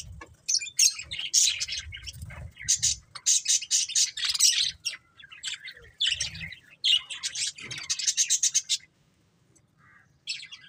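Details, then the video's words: Budgerigars chirping busily, a dense chatter of high scratchy warbles and rapid twittering notes in bursts with brief pauses, several birds calling over one another; faint low rumbling underneath. "Beautiful Budgies Chirping Sounds"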